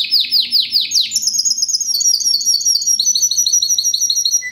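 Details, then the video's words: Kept Timbrado Español canary, classic timbrado style, 2013 bird with a fast, metallic, powerful voice. A burst of quick descending sweeps runs into a long, high, rippling metallic trill that ends with a short lower note. "Timbrado classico FOE 2013"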